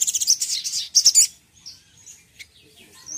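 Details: Crimson sunbird singing to anger a rival: an opening rush of very high, fast staccato trills, then sparse thin whistled notes and faint chips.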